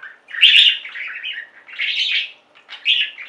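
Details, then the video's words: Budgerigar warbling in three drawn-out phrases of buzzy, chattering notes, separated by brief pauses, the first phrase the loudest. "Most Beautiful Budgie songs Ever: Budgies singing and chirping"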